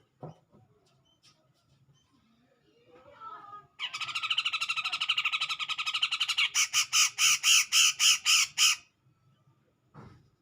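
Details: Grey-cheeked bulbul singing to provoke a rival: a long run of rapid, harsh chattering that breaks into about ten loud, separate, evenly spaced notes before stopping. A few faint sounds come before and after.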